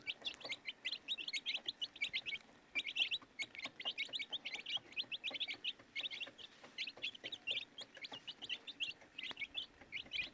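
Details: Many baby chicks chirping together, a constant busy stream of sharp high peeps with tiny gaps, steady intensity throughout.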